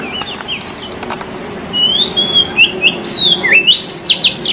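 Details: Wild white-breasted Oriental magpie-robin singing in nature: quiet opening, then a run of loud, clear whistled notes that slide up and down, some sharp downward flicks, over a steady low background hiss.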